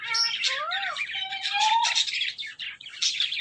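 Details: Pet ring-necked parrot talking: harmonic, speech-like gliding tones with rising and falling contours, followed by a busy stretch of chattering, buzzy syllables.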